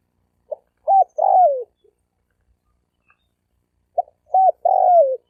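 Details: Spotted dove male calling to attract hens and wild birds, recorded 2020. Two mellow cooing phrases about three and a half seconds apart. Each has a soft pip, an arched coo and a long falling croon, with a faint low note trailing the first.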